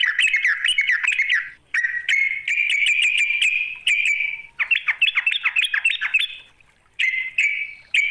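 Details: Rival-luring call of a sooty-headed bulbul, made of dense, scratchy chattering bursts that run together in long harsh stretches, broken by brief pauses, then resume in rapid choppy notes. No other sound is heard.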